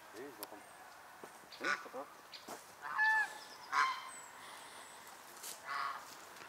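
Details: Flock of Chinese geese, also called swan geese, being fed by locals in November 2021; several loud nasal honks with harsh harmonics come in scattered bursts, mixed with thin high chirps and faint background voices.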